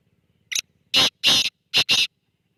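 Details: Black francolin calling near Khushab: one short high click, then four loud, harsh, rasping notes in quick succession over about one second. The last two are closely paired. Otherwise quiet.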